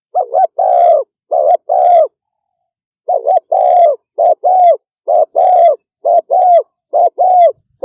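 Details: Fast 'thúc gù' coos from a spotted dove: pairs of a brief note and a drawn-out mellow coo, a one-second break, then a brisk string of further pairs, otherwise quiet.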